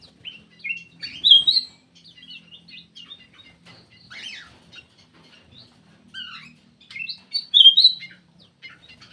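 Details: Lure call of a black-crested bulbul, a run of quick chirpy whistled notes and short trills, loudest in two bursts early and late, with softer twittering between.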